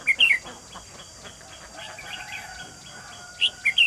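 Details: Red-whiskered bulbul, a decoy bird used in a trap to lure wild birds, recorded 28 June 2020; short bright chirping phrases open and close the recording with a quiet gap between them, over a faint steady background hiss.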